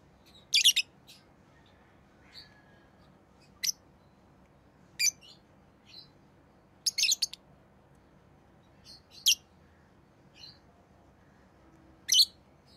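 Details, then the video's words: Rosy-faced lovebirds, orange-faced green and red-headed green, chirping repeatedly: loud, shrill, high-pitched bursts every one to two seconds, some doubled or tripled, with softer short peeps between, in a quiet room. "Rosy Faced Lovebird Chirping Sounds"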